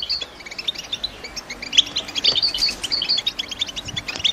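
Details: Sparser chatter from caged female European goldfinches prompting a male to sing for breeding: scattered bright, sharp chirps, clustering into a livelier run in the middle before thinning out again.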